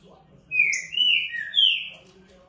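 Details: Rufous-bellied thrush singing in the early morning, a Sunday at 4:46, giving clear whistled phrases: a bright rising note, a level note, then a falling slur, over low background hum.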